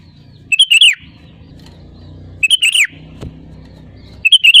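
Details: Sooty-headed bulbul song played to lure birds and trigger their singing: a brief chortling phrase of three or four slurred whistled notes, repeated about every two seconds, over a low background rumble and one faint click.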